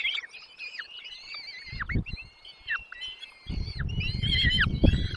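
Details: Nestlings clamouring as a parent brings food to the nest: high wavering cheeps and curved down-slurred notes, with bouts of low rustling and fluttering movement in the second half.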